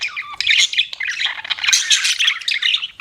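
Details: Short burst of pet budgerigar chirping, a crowded, shrill twittering mix of squeaky notes and scratchy chatter with no quiet between them.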